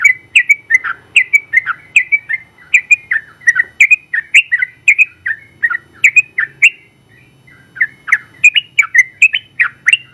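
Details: Yellow-vented Bulbul that won first place in a general-class contest, singing a long 'ropel' run as a tutor for other birds: dense chattering notes, slightly slurred and descending, with one brief gap midway.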